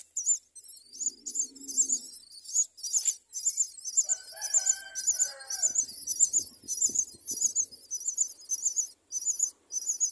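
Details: High, scratchy chirps from a myna raising four chicks at the nest repeat in quick bursts throughout, while a rooster crows once in the background and low knocks are heard.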